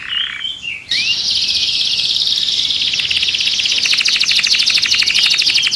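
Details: Caged canary in an agitated state: a brief wavering whistle, then a sustained rapid buzzy roll that grows into fast pulsed rattling.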